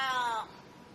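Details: A crow giving one harsh, nasal caw lasting under half a second, rich in overtones and sagging slightly in pitch at the end, followed by quiet.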